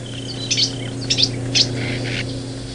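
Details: Three northern cardinal nestlings, nearly ready to leave the nest, beg as their mother comes to feed them: three quick bursts of thin, high, squeaky chips about half a second apart, then softer lower notes, over a low electrical hum.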